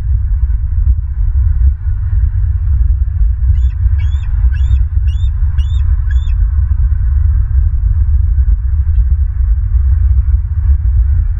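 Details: Bald eagles at a Southwest Florida site on 27 May 2023, mid-afternoon: six shrill, piping chirps in a rapid evenly spaced series near the middle, set against a constant deep roaring rumble.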